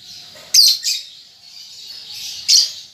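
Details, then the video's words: Juvenile lovebird practising its ngetik ngekek chatter with a pair of sharp, scratchy high chirps, a pause over soft hiss, then another harsh chirp. "Lovebird Paud Baby Balibu Muda Belajar Ngetik Ngekek"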